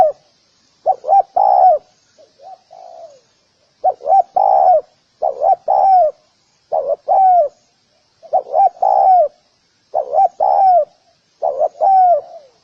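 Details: Spotted dove giving low, mellow cooing phrases, each two quick short coos followed by a longer drawn-out coo that slides down at the end, repeated steadily with a few softer, shorter phrases between; quiet background.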